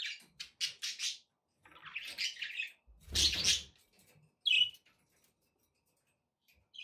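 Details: Pet budgerigar chirps in quick ticking notes, then a scratchy warble, a thumping noise with a squawk, and a clear single chirp before silence.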